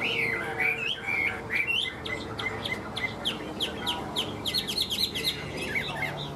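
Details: Tame caged Chinese hwamei being sold, singing a rapid sequence of short whistles and clicking, chattering notes that tumble quickly one after another.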